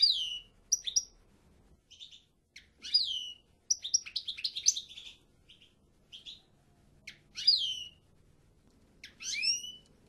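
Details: Goldfinch (European) giving a twittering song of sharp, high descending slurs and clipped chirps, grouped into short bursts with brief silences, rising and falling in loudness.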